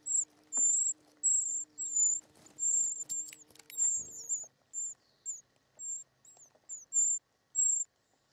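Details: Short-toed treecreeper chicks in the nest beg while being fed, with very high, thin, hissing notes, about a dozen in eight seconds, over a faint low hum and a few taps.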